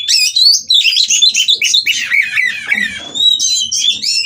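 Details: White-rumped shama in mating condition singing to stir rivals into song, a continuous varied stream of loud whistles, slurred sweeps and rapid chatter, ending in long clear rising whistles.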